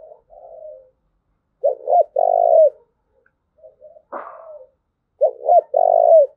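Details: Spotted dove cooing, used for training decoy birds and stimulating males. Two loud low phrases, each a pair of short notes then a long purring coo. Soft murmured coos come between them, along with one brief sharp noise.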